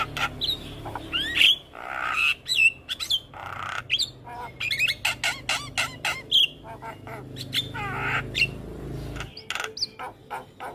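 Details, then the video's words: Young black-winged starling giving a full isian tutor song: varied sequence of sharp clicks, rising and falling whistles, and harsh squawks, with rapid broadband ticks in bursts and a faint low hum underneath. "Masteran Jalak Kebo Full Isian Pas Buata Jalak Kebo Muda"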